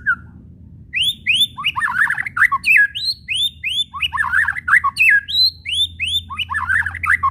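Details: White-rumped shama kretekan, the chattering call used to provoke shamas into song: rapid bursts of rising upslurred whistles, several per second, mixed with harsh, scratchy chattering clusters, continuing busily throughout over a low hum.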